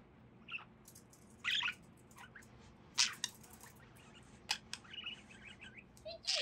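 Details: A female pet budgerigar playing in a cardboard tube, her favourite toy, chatters in scattered high, scratchy chirps and squeaks, mixed with sharp clicks.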